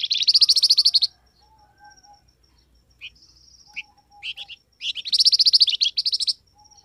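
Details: Flamboyan bird call used as a lure so wild birds call back. A long, rapid, shrill chattering trill opens and later returns, with scattered short chirps between the two bursts.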